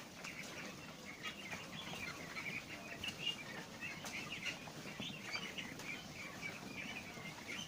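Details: A flock of four-week-old laying ducks of unknown sex, growing new feathers and with voices starting to turn into hoarse quacks, keeps up a dense, overlapping chorus of high peeps at feeding time, with rustling and shuffling underneath.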